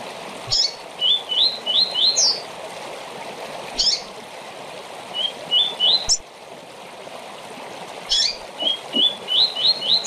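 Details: Tournament-training short song of a rusty-collared seedeater, with three phrases of four to five quick rising whistles each opened by a sharp high note, repeated every few seconds against a steady stream-like hiss.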